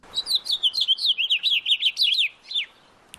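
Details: A House Finch, a bird common all over the local area, sings a quick, jumbled warble of high slurred notes for about two and a half seconds, ending in a downward slur, with a soft click after.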